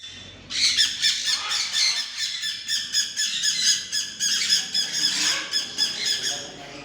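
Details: A tame macaw gives harsh, raspy squawks in rapid, overlapping bursts of about four per second, running almost continuously over faint indoor background noise.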